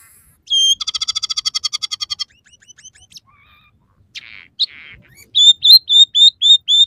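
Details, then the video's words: Actively singing scaly-breasted munia, its song with three variations and sparrow, red siskin and canary fill-ins. It opens with a rapid rattling trill, then scattered thin notes, and ends in a string of bright arched whistles repeated steadily. "suara burung emprit peking gacor dengan tiga variasi lagu"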